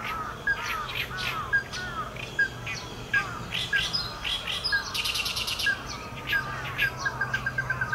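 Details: Ruddy-breasted crake calling a series of short hard notes that speed up toward the end, among chirps from other birds and a brief buzzy insect-like burst midway.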